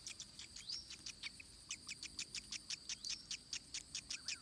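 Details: Racket-tailed treepie chick begging at a forest nest while its mother regurgitates food to it: rapid, harsh, scratchy notes, about five a second, over a steady high insect-like hum.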